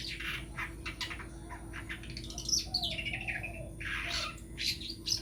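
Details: Long-tailed shrike, a prospective champion songbird, singing a mix of harsh, scratchy bursts and thin high whistled notes, with a slurred lower whistle midway; steady low hum underneath.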